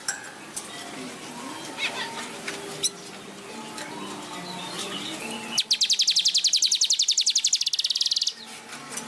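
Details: Caged weaver (manyar) singing in Indonesia: after several seconds of faint mixed chatter and background noise, a fast dry rattling trill of rapid repeated high notes runs for nearly three seconds, then stops abruptly.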